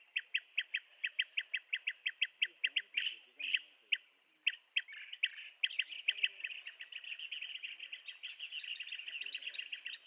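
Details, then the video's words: Rapid, evenly spaced chirps from a blue-tailed bee-eater build into continuous overlapping chattering, set against a steady shrill insect drone. "Tiếng chim Trảu đuôi xanh - Blue tailed Bee eater"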